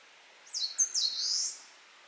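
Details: Eastern crowned warbler in song: several rapid, high sliding notes followed by a sustained buzzy, slightly rising tail. The phrase is about a second long and the background is calm.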